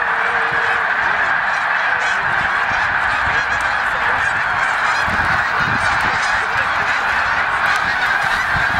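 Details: Thousands of voices blend as snow geese on migration at Middle Creek, Pennsylvania, call nonstop in a dense honking chorus, with a few lower, closer honks and light rumble.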